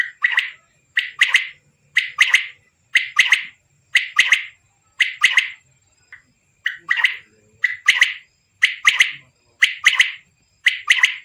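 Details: Male quail calling steadily in a village, delivering a long series of clipped, ringing two- and three-note phrases roughly once per second, very regular and loud with a quiet background.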